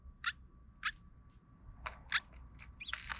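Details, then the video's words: Sparrows gathering and often fighting at a park just after relocation. Several quiet, brief, sharp chirps come at irregular intervals over faint rustling and scattered clicking. "sparrows at the park started fighting frequently"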